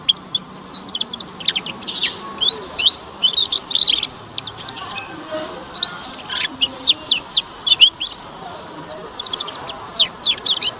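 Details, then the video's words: Young canary training song for juvenile birds, played to prompt them to start singing: a continuous run of quick high chirps and rising and falling whistled notes, some swept sharply, in uneven bursts over a faint background hiss. "PANCINGAN KENARI PAUD AGAR BUNYI DAN CEPAT PECAH SUARA"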